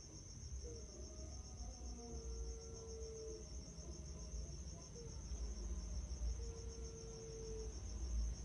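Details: Turtle dove song used as a training recording to make birds sing: short upward notes followed by long, even, low sustained tones, repeated twice over several seconds, over a steady high-pitched whine and low rumbling noise.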